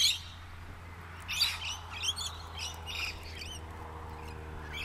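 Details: Rainbow lorikeets in trees, recorded while travelling on a Canon Powershot S5 IS: scattered shrill screeches and twittering notes, a few loud bursts, over a steady low mechanical hum.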